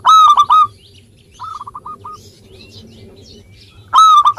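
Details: Active local zebra dove, recorded to get reluctant birds singing: a loud burst of clipped rolling coos, a softer string of short notes after a pause, and another loud burst at the end.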